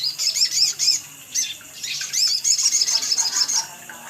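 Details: Sogon sunbird calls used as a lure to prompt wild-caught birds to start singing: busy, high-pitched chirps and short squeaky phrases tumble over one another, overlapping thickly for four seconds.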